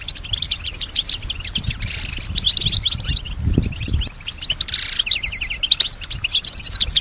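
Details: Caged female European goldfinch singing, imitating sounds around her; fast liquid twittering with rapid trills and two buzzy nasal bursts, continuous and high-pitched, with soft low rumbling in the background.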